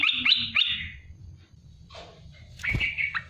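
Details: Olive-winged bulbul (merbah belukar, cucak lumut) gives short bursts of bubbly, liquid notes, one burst opening the phrase and another closing it, with a quiet pause between.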